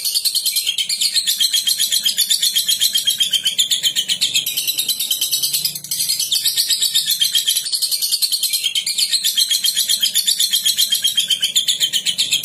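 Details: Long ngekek song of a lovebird, used to provoke other lovebirds into singing; an unbroken, rattling high-pitched chatter beating steadily about four times a second, with one brief dip near the middle.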